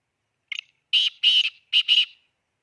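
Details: Black francolin from Khushab giving a loud, harsh call: a short opening note, then a rapid series of grating, buzzy bursts in two pairs over about two seconds, with a quiet background.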